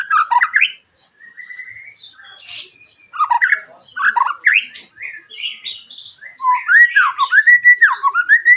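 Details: White-rumped shama uttering rough, sharp 'tembakan' song to provoke other shamas to sing; varied chattering and whistled phrases, ending in a rapid rhythmic series of rolling, looping whistles.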